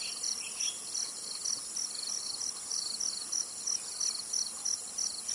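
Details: In Tainan, Taiwan, a zitting cisticola calls with evenly spaced, sharp high notes about three per second, over a buzzing insect background.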